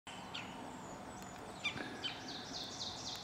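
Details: Blackburnian warbler foraging on a snowdrop perch and singing thin, very high notes that rise toward the end, faint over steady hiss, with an ovenbird and another Blackburnian warbler singing in the background.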